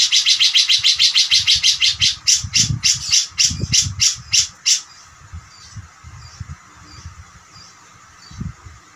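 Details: Cucak jenggot singing, used as master song for training songbirds such as Murai Batu and Cendet: a fast, high, chattering series of sharp repeated notes for about five seconds, then quiet with faint low thumps.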